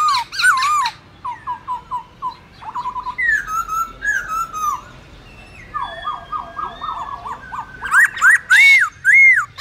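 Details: Black-throated laughingthrush wild-style song meant for teaching young birds: strings of short clipped whistles, some wavering longer notes, and closing loud arched whistles repeated quickly.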